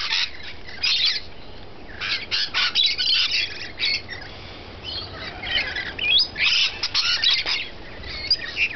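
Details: Rainbow lorikeets feeding, sharp screechy squawks delivered in quick clustered bursts with brief pauses, several birds calling over one another.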